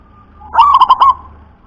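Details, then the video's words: Wild local zebra dove giving a short, deep phrase: a brief rolling coo of four quick pulsing notes, mellow and low, in a quiet setting. "Suara perkutut lokal SUPER TEBAL"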